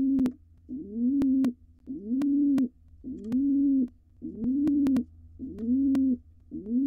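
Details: Wild pigeon male courting a female at a nest box where nestlings exercise wings before fledging; low, rising-then-level coos about 0.8 seconds long, repeated steadily roughly once a second, with sharp clicks and taps from inside the box.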